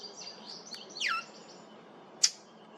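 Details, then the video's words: Unfamiliar call of a brown thrasher, recorded July 8, 2023 at Maple Groves Cemetery: soft high notes lead into one steeply falling, harmonic-rich slur, followed by a single loud sharp click. "Brown Thrasher making unfamiliar sound"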